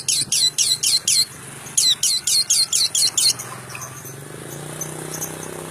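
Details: Long-tailed shrike giving two bursts of rapid, rasping high notes, six or seven in each burst, separated by a short pause, then quiet with soft background hiss.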